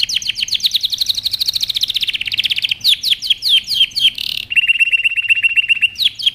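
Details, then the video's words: Canary song used for training: fast repeated descending whistled notes about four per second, a few sharper chips, then a level buzzy rolling trill and final sweeps, clean and bright with no background noise. "canary training song"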